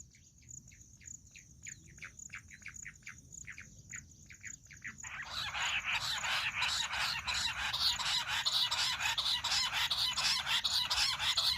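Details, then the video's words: Jungle bush quail sound, named as a hunting call: about five seconds of short, evenly spaced chirping notes repeated roughly every third of a second, then a loud, harsh, dense chattering chorus that continues to the end. "Amazing Quail sound || Battair shikar awaaz || Bush quail voice| baredd Junglee gundri awaaj"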